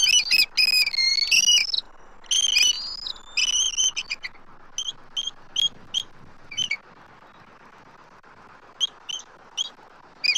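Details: Both adult eagles call loudly as a young intruder circles their nest tree, Southwest Florida, March 12, 2024. Dense wavering squealing chatter opens, then thins to spaced single piping notes with quiet gaps.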